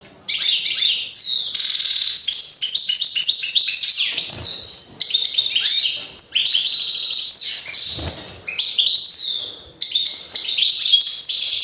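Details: European goldfinch singing a fast, bright, twittering song of high buzzy trills and rapid chirps, delivered in long bursts with brief pauses near four and eight seconds; close and clear with no other sounds.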